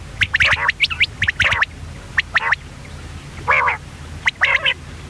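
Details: Female common quail uttering clusters of harsh, clipped squawking notes separated by brief pauses. Two longer, lower, gargled calls follow later in the sequence.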